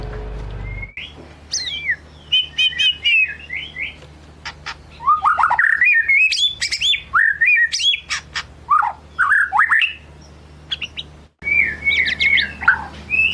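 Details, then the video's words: Lure song of a white-rumped shama singing out its varied repertoire: rapid clicks and harsh squawky notes mixed with bright whistled slurs, dense bursts of phrases with a short pause before the singing resumes, over a faint low hum. "Kicau murai batu ngelemak | pancing murai batu bongkar isian"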